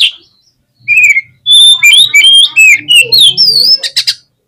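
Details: Oriental magpie-robin in full, lively song, used as a fast provocation track to agitate caged magpie-robins: rapid bright whistled notes, slurred rising and falling phrases and scratchy buzzes pour out after a short gap, with a faint low hum underneath.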